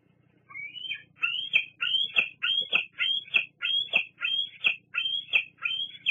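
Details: Juvenile bald eagle at Fraser Point, on 08-08-22, squeeing at a parent: a rising opening note, then a steady series of about ten high, piercing squeals, roughly two per second.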